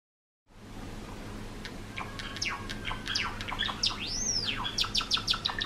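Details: Pet Java sparrows, four-year-old males kept indoors, one courting a white female with song: quick clicking and ticking notes and sharp downward sweeps, then a high arched whistle and a fresh burst of clicks, over a low steady hum.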